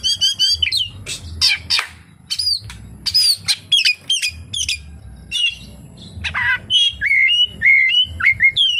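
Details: Oriental magpie-robin in full song with mimicked phrases, rapid sweeping whistles and sharp chirps in dense bursts, ending with a run of lower, repeated downslurred whistles.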